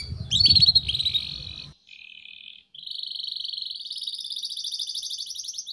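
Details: Canary lure song for training young birds: rapid buzzy trills around high pitch with rising whistled notes, a brief pause, then a long rolling trill; low thumping noise at the start.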